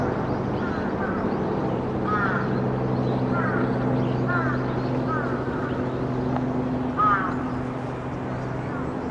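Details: Crows mobbing a little egret in a group at Shukkeien garden in December 2017. Harsh, rasping calls repeat roughly every second over a steady low mechanical hum.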